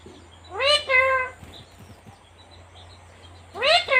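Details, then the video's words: Female pet talking parrot in India uttering two loud, clear word-like phrases, each a quick rising then level two-part syllable, separated by a quiet pause with faint low clicks. "talking parrot"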